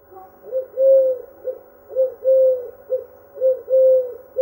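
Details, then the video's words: Singing dove giving soft, low, hollow cooing: short coos alternating with longer drawn-out coos, in a steady rhythm of about one phrase per second, clear against a quiet background. "Singing Dove"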